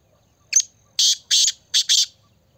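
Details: Loud grating call of the black francolin (kala teetar): a sharp opening note, then a pair of broad rasping notes and a closing pair, evenly spaced, the background nearly silent but for a thin steady tone.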